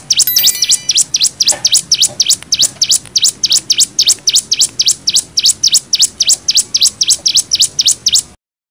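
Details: Cigun singing in the nembak style, used as tutor song for training young birds: a fast series of sharp, high, V-shaped chirps repeated about four times a second, steady for eight seconds, then ending abruptly.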